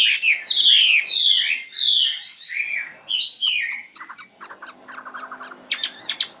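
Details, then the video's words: Song of a common nightingale: full, descending whistled phrases, then a rapid series of sharp, evenly spaced clicking notes ending in a dense rattling burst. "Best singing nightingale 2016"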